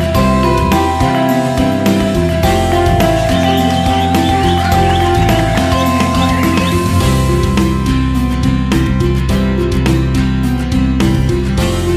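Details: Loud, steady background music with a strong bass beat fills the whole stretch, and no animal voice stands out.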